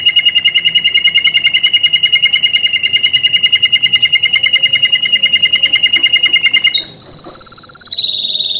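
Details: Canary in gacor ngerol nembak singing: a long, fast, level rolling trill pours on evenly, then breaks near the end into higher, sharper piercing notes and a brief rising whistle.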